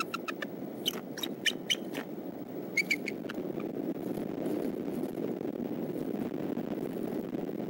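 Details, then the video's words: Father bald eagle arriving at the Decorah nest around sunrise on 22 March 2014, 6:30 a.m.: a few short runs of high, chattering piping notes early on, then only a steady low rumbling background. "Decorah Eagles ~ Dad Drops In 6:30 a.m. ~ Vocals"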